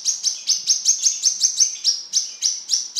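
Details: Sunbird, locally called kolibri kelapa, singing continuously in a rapid series of high, thin, sharp chirps, about thirteen notes in three seconds, each a quick descending stroke, with no other sounds.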